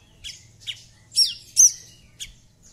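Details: Javan bush lark calling to prompt a silent lark to sing: a few harsh, high, squeaky notes, two of them louder and drawn out, with gaps between, over a faint low hum.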